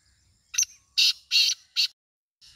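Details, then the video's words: Kala teetar, the black francolin, gives a grating call series: short opening note, three loud rasping notes, then a further note starting at the very end; soft low background noise. "کالا تیتر کی آواز سندھی تیتر کی آواز"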